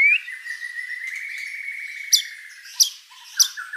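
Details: White-rumped shama in full, prolific song rich in borrowed phrases: a long, steady trilled whistle wavers at one mid-high pitch for two seconds, followed by three sharp, bright, ringing notes spaced about half a second apart.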